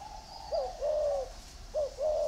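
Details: Brief stretch of spotted dove cooing from caged birds, one in bamboo and one in iron: a quick note then a long even coo, the pattern starting again.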